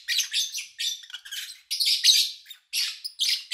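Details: Lovebirds kept by an owner, recorded in August 2019 during a quiet spell with little human activity: dense, scratchy high chirps and squawky notes packed closely together, with only very short gaps.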